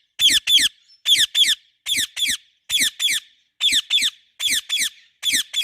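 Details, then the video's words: Pet parrot chirping loudly indoors: harsh, scratchy squawks come in quick pairs, each pair about a second apart, repeated steadily through the clip with short silences between. "Parrot Natural chirping sounds"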